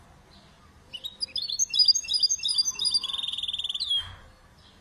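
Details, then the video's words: Mule, a canary and goldfinch hybrid, singing a bright, varied phrase of quick, clear whistled and twittering notes, ending in a rapid, even trill, against a quiet background. "Mule canary × goldfinch singing"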